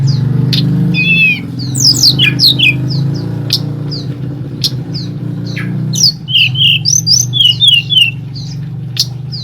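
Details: Night-time Sunda forktail lure call, used to excite other birds so they reply and sing. Scattered shrill whistles, quick upward sweeps and brief trilled bursts come in irregular clusters, with a constant low drone of engine-like noise underneath.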